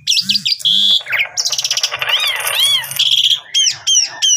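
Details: Asian pied starling in rich song. Squeaky whistles and a pure sustained tone give way to a dense, noisy rattling jumble with arching whistled notes inside it. It ends in a series of sharp, bouncing upslurred notes, over a low background hum.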